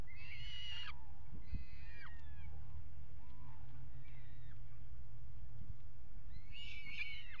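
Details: At a peregrine falcon nest box on the Axel water tower, Netherlands, 5 February 2018, during mating on the box edge. Harsh wailing bursts open and close the clip, with softer scattered calls between them, over low rumbling noise.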